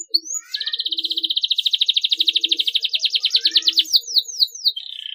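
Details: Canary singing to prompt young canaries to chirp: one rising note leads into a long steady rolling trill of rapid pulses, ending in several quick downward slurs and a softer buzzy tail.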